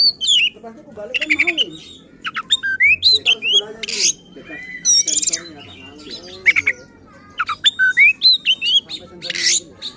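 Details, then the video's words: Oriental magpie-robin (kacer) singing agitated and persistent to provoke other magpie-robins: loud varied phrases of whistled upslurs, harsh buzzy bursts and rapid chattering notes in dense bouts separated by short pauses. "Burung Kacer Gacor Ngotot dan Emosi Suara Menggila Bongkar Isian."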